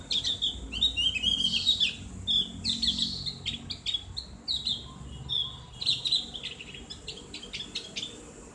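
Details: Javan grey-throated white-eye (opior jawa, cak gentong) giving ngriwik song, a clear, open-voiced style used to tutor caged birds. Rapid high chattering twitters and short whistled phrases come in bursts, with brief pauses between runs.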